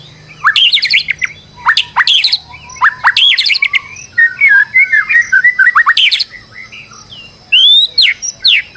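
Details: Stressed white-rumped shama serving as a lure to make another bird sing, pouring out loud, fast, varied phrases of sharp whistles, rattles and warbles, ending with a few clear rising whistled notes.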